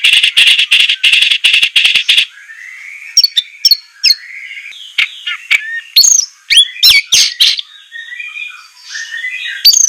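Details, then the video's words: White-rumped shama masteran training recording for captive birds, harsh 'tembakan kasar' style. Opens with a dense burst of rapid rattling, then scattered loud whistles, slurred notes and sharp chips over soft twittering. "masteran besetan murai suara semelet suara pedas tembakan kasar"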